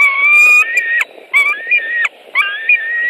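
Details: White-tailed eagles at a nest in Latvia on 23 May 2018, an adult arriving with fish and a long feeding; loud piping calls, three drawn-out tonal notes, each ending in a sharp upward flick.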